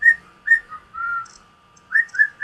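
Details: Gray male cockatiel, about 16 years old, kept at home, repeating a learned whistled tune picked up from a parakeet: clear pure notes, a short high one, a lower drawn-out slide, then a quick run of three bright notes after a pause.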